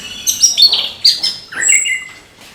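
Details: Brief morning burst from an orange-headed thrush in gemercik style: high sharp chips and twitters running into a falling whistled slur.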